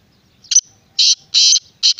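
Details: Grating call of a black francolin (kala teetar): a short clipped note, then three loud, harsh, buzzy bursts about a third of a second apart, against near silence.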